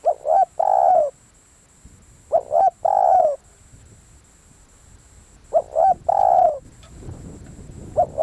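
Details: Spotted dove decoy calling steadily, three full phrases and the start of a fourth roughly every two and a half seconds, each two brief hoots then a long descending coo, with some low rumble late on.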